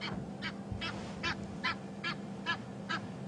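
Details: Egyptian goose flying in on a sunrise game drive at Djuma private game reserve, Africa, probably shouting at nearby secretary birds, gives a run of harsh, rasping honks, two or three each second, over a low steady engine hum.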